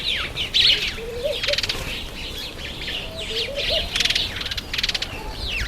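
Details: Masked weavers calling in breeding season, September to October: busy twittering of sharp, sliding high chirps, broken by loud fluttering bursts of wingbeats and a few soft lower warbled notes.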